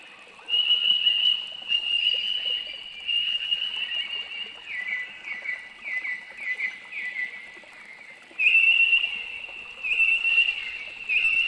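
Noisy miner giving loud, high, piping notes in sustained bursts, with a run of quick slurred repeats midway; a faint rural hum sits underneath.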